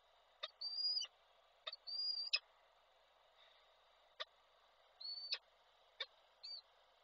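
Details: Male peregrine falcon bringing a prey gift and calling the female, recorded in Koszalin, Poland, on 16 February 2024 by an online falcon camera. Four high, drawn-out whistled calls with sharp clicks, each lasting about half a second, over a steady background hum.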